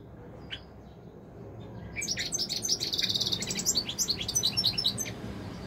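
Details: Caged European goldfinch launching into a lively, continuous twittering song of rapid high chirps and buzzy trills after a near-silent start, low hum in background.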